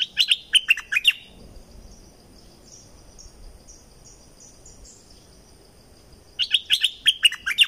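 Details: Two loud bursts of rapid, chattering whistled notes from a streak-eared bulbul in southern Thailand, separated by about five seconds of quieter background with faint high insect buzzing.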